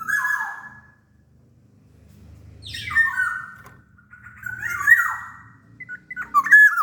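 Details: Sumbawa kepodang singing in 'gacor' form: fluted whistled phrases alternating with harsh, buzzy rising notes, over a low humming murmur in the background.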